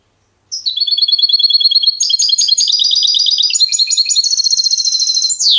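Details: A trained European goldfinch sings a clean song, a fast, unbroken run of high, tinkling twitters, liquid trills and brief buzzy notes for about five seconds, with nothing else audible.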